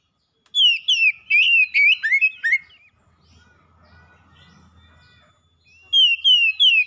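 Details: Oriental magpie-robin kept as a pet, singing loudly to prompt a silent bird to sing: rapid run of ringing, falling whistled notes, a pause with faint low background noise, then another short whistled run.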